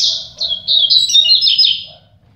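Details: One of two double-collared seedeaters in a singing contest delivers a quick, high, twittering warble of slurred notes lasting about two seconds, ending abruptly.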